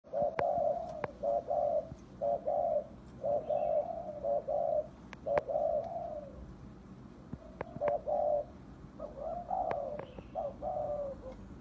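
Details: Spotted dove decoy bird giving a full set of call styles (calling, 'thúc' and 'gù' coos) in the 'hạp bổi' voice: mellow low coos in short two- and three-note phrases, about one per second, with sharp clicks between.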